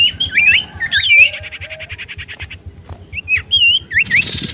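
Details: Common iora song played to provoke replies from other ioras: sharp whistled upslurs, a dry rattling trill, a lower drawn-out whistle, then scattered bright notes.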